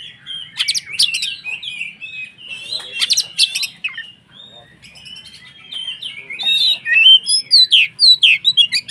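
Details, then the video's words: White-rumped shama (kacer) singing to provoke rival shamas: dense, varied chattering and whistled phrases, buzzy clusters, then a run of loud, rapid, sharply rising notes repeated near the end. "SUARA BURUNG Kacer gacor untuk PANCINGAN KACER agar EMOSI dan KONSLET"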